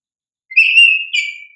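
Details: Oriental magpie-robin (kacer) lure song for young caged kacer birds: a sustained clear whistle rising slightly, then a second held whistled note, in a quiet background.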